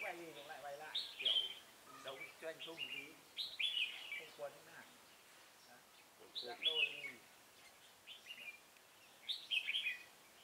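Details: Red-whiskered bulbul used as a decoy bird at a trap, recorded 16 November 2017: short bright warbled phrases, rich and slurred, in bursts about every three seconds, with a man talking in Vietnamese underneath and outdoor background noise.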